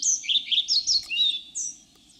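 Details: European pied flycatcher, a forest bird of Russia, sings a quick, high phrase of sweet, slurred notes that rise and fall over about two seconds, ending in a thin upslurred note.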